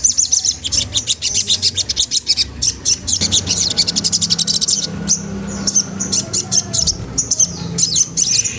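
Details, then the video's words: Magpie-robin singing to goad a rival: fast continuous high-pitched chatter of sharp repeated notes, somewhat masked by steady hiss and a low hum. "Suara bunyi sogon trotol menggoda lawan ampuh banget untuk rangsangan bunyi"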